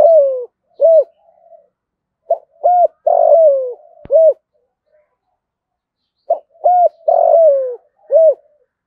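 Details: Spotted dove calling to bring other doves, in a deep thổ cục đình voice: low hollow coos in two phrases, each a short note, a longer drawn-out falling coo and a closing hoo, with a pause between phrases.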